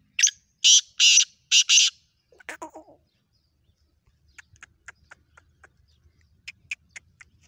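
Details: Black francolin calling in the morning in a village: four loud, harsh, grating notes in under two seconds, then a lower falling note, followed by faint chirps of small birds.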